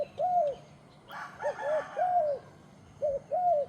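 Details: Turtle dove cooing: soft, arched mid-pitched coos, some short and some drawn out, in uneven pairs over a low background hum, with a brief rustle partway through.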